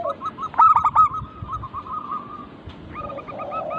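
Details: Local zebra dove cooing for luring other birds into song: a loud stacked burst, then a fading run of fast, soft coos, and a second stacked series with lower warbles at the end.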